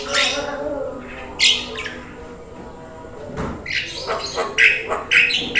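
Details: Javan myna on a training recording for making caged birds sing and talk, mixed with rain. Sharp, shrill whistled chirps and harsh rasps come in irregular bursts roughly twice a second, with softer chattering between them.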